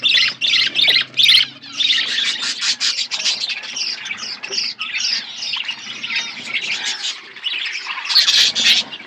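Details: Flock of budgies in an outdoor aviary keeps up loud, rapid chirping and scratchy warbling, uneven bursts repeating several times a second with short gaps, busy chatter filling the whole stretch.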